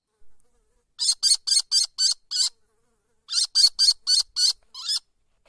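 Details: Downy kestrel chicks, still covered in white fluff and a few weeks old, in a high nest. Harsh, rasping notes come in two quick bursts of six and five, separated by a short pause.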